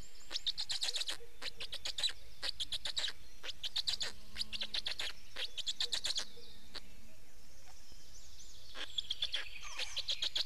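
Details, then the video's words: Black storks at a nest in Estonia on 19 May 2019, during a change-over of adults and feeding: bursts of rapid, rasping pulse trains, each lasting about half a second and repeated in clusters, with faint thin songs of other birds behind. "Estonian Black Storks - Change anf feeding"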